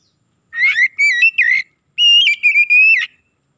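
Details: Clean Oriental magpie-robin song, a lure to raise other birds' excitement fast: two loud whistled phrases of slurred, warbling notes with a short gap between, over silence.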